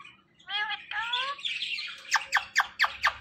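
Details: Talking parrot kept as a pet: a warbling, speech-like phrase, then a run of five sharp, quick chirps about a quarter-second apart.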